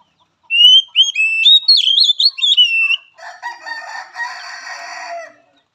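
An Oriental magpie-robin sings a quick run of varied, sliding high whistles, then breaks into a harsh, scratchy, buzzy chatter for about two seconds.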